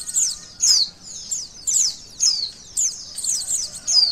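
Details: White-eye song used to test a bird's emotion and arousal: clear, high whistled slurs delivered in quick phrases, about one per second, each note dropping sharply in pitch.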